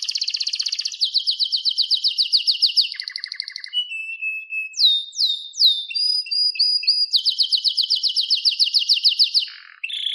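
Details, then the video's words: Canary in continuous song, meant as a training recording for other canaries: rapid high rolling trills alternate with lower buzzy tours, a series of descending whistled sweeps and short repeated notes, then another long fast trill. "Wonderfull Canary Singing"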